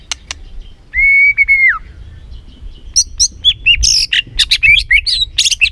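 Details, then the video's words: White-rumped shama song used as a lure to excite a caged bird: a long steady whistle near the start, then a rapid varied run of sharp chirps, slurred notes and squeaky phrases. "PANCINGAN MURAI BATU BONGKAR ISIAN GACOR, MURAI BATU MALAS NAIK EMOSI LANGSUNG BUNYI GACOR."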